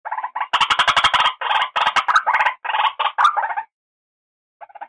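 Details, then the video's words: White-breasted waterhen call used as a lure for bird trapping; loud harsh croaking notes in a rapid uneven run of about two dozen, then a pause and a final short burst. "suara asli burung ruak-ruak pemikat"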